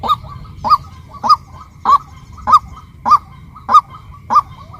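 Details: Female white-breasted waterhen calling: eight loud, clipped, honking kwak notes spaced evenly about every 0.6 seconds, each note rising then falling slightly, with a soft low rumble underneath.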